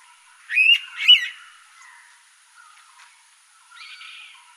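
An Indian pitta gives two loud, clear whistled notes in quick succession, followed by fainter trailing sounds.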